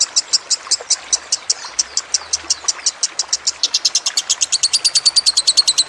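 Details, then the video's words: Kusumo lovebird song with trickling water in the background, made for training other birds: rapid high chattering notes repeated in a long run that quickens and tightens toward the end. "Masteran Lovebird Kusumo + Gemercik Air"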